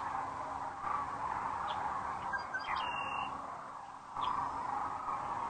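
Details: At sunset on April 4, 2013, sandhill cranes arrive for the night at Rowe Sanctuary in Gibbon, Nebraska, on a webcam; a continuous chorus of throaty calls with a low steady hum and a few sharp higher chirps midway.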